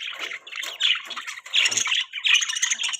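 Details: Budgie chirping in a rapid, scratchy chatter of short warbled notes. The bursts come in uneven clusters and pause briefly between them.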